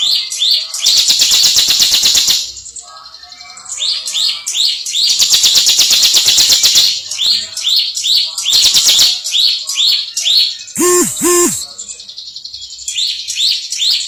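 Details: Contest-champion bar-winged prinia alternating long harsh buzzy ngebren bursts with quick runs of high hooked whistles; a brief lower tonal double sound intrudes near the end.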